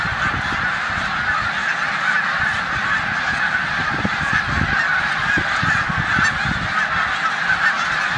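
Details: Snow geese crowd a corn field in Savannah, New York, on 14 March 2020, ahead of migration to the Canadian tundra; a steady din of nasal honks over gusty low wind rumble.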